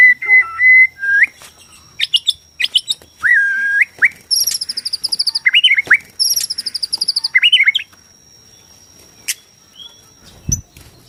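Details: White-rumped shama from Borneo, a song for provoking shamas to sing and fight: a long flat whistle, clipped notes, then two very high, rapid trills mixed with swooping whistles, fading to near silence.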